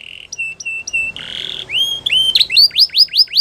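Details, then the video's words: Spanish Timbrado canary singing: a steady held trill, then short repeated notes, a harsh buzzy burst, and a series of quick rising whistled notes repeated several times a second, clear and close. "Spanish Timbrado Canary Singing"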